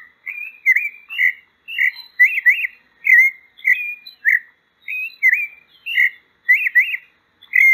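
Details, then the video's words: Pale-breasted thrush, known in Brazil as sabiá-poca or sabiá branca, singing a continuous run of clear whistled phrases, each short, slurred and warbling, some with rapid up-down notes, delivered about twice per second with brief gaps; no other sounds. "O Canto da Sabiá Branca. Sabiá Poca cantando."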